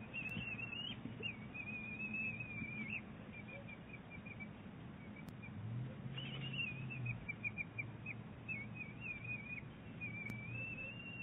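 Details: Bald eagle eaglet and mother trading calls at Big Bear Lake, 23 April 2018. Series of thin wavering whistles and short chittering notes, a pause midway, then more quavering whistled phrases; low rumbling hum underneath.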